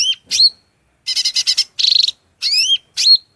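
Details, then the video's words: Shrill cucak rante song used as masteran material: sharp rising and falling whistles separated by short gaps, with a quick stuttering trill in the middle. "MASTERAN SUARA MELENGKING CUCAK RANTE GACOR FULL isian"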